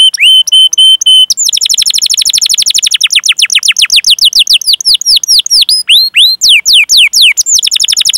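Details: Singing canary with long 'cuit cuit' rolls, recorded as a lure to get other canaries singing; opens with steady pure whistles, then breaks into a rapid buzzy trill of falling notes that slows into separate upswept chirps.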